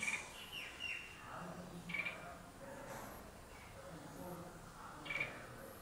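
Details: Red-whiskered bulbul (Pycnonotus jocosus) singing: short, bright, chirpy notes spaced a couple of seconds apart, over a steady low background hiss.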